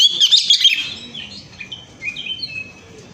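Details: Oriental magpie-robin song played to coax other birds into singing: a dense, loud burst of high chirps, then softer separate whistled notes over faint background noise.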